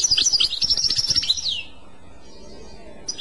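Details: European goldfinch in clochette style delivers a quick phrase of sharp, bell-like twittering notes lasting under two seconds. A descending slur ends it, then quiet follows with a brief note at the end.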